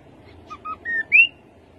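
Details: Rufous-capped babbler song opening: two low whistled notes, a flat whistle, then a louder rising slurred whistle. Quiet background.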